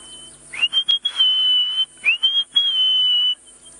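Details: Orange-breasted bushshrike (Chlorophoneus sulfureopectus) song on a very hot, humid afternoon in the African bush, Djuma Game Reserve area: a clear, human-sounding whistled phrase twice, a few short notes into a long steady held whistle.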